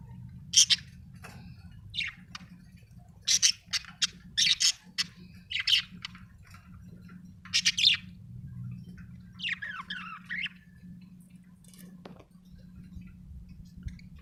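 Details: Budgerigar producing many short, sharp chirps in loose runs, then a longer scratchy warble, followed by a quieter stretch with only a low hum and a soft tap.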